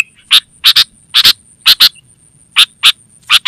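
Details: Lively, vocal sooty-headed bulbul, a call for luring wild birds and teaching caged ones: rough, buzzy double notes repeated at uneven intervals, with a thin steady hiss behind.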